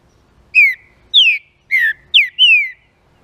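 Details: One full song phrase from a green-winged saltator, sung to stimulate other saltators: five ringing whistled notes, the fourth and fifth close together, each falling in pitch, clean and loud against a quiet background.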